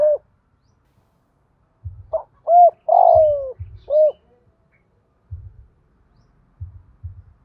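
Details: Spotted dove giving its lure call to attract other doves, thổ-style voice: one clear phrase of short mellow coos around a long, rough, falling coo. The phrase is preceded and followed by dull low knocks.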